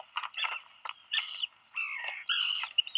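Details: Nesting black guillemots in a burrow, Seal Island National Wildlife Refuge, Maine, on 27 June 2020, during a food delivery to a chick: broken high whistles mixed with buzzier, lower rasping notes.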